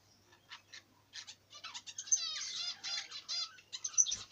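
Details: Budgerigar chattering in a quick, uneven run of scratchy, buzzy warbles and high chirps. The notes are harmonic-rich and grow louder and denser toward the middle, with sharp squeaks near the end.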